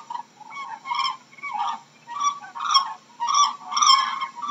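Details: Crane giving loud, harsh trumpeting calls in rough bursts about every half second to second, rich in overtones, with some calls overlapping as if several birds are calling together.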